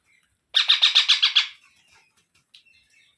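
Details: Baby parrot delivering a single burst of seven rapid, evenly spaced, rasping notes lasting about a second, then near silence and a faint later chirp.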